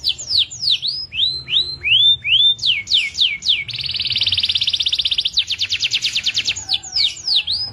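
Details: Local Indonesian canary singing a series of clear down-curving whistled notes, then a dense buzzing trill and a pulsed rattle, before the curving whistles return.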